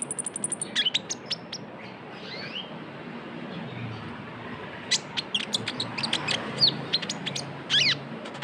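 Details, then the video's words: Lure recording of a brown-throated sunbird (konin, kolibri ninja) in trotol style: a quick run of high ticks opens, then a quiet stretch, then dense bursts of sharp, high chirps and short trills. "PANCINGAN KONIN TROTOL GACOR (KOLIBRI NINJA)"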